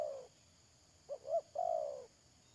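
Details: A spotted dove kept as a trapping decoy, 31 May 2022, gives the end of one croo, then two brief clipped coos and a drawn-out descending croo, with steady background hiss.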